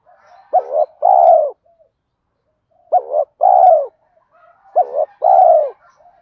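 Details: Spotted dove cooing that stimulates birds in training. Three phrases roughly two seconds apart, each a warbled double note and then a rich coo that drops at its end, with quiet low murmurs in between.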